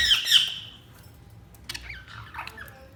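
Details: Budgerigar giving a loud harsh squawk at the start, followed by softer wavering, warbled chirps.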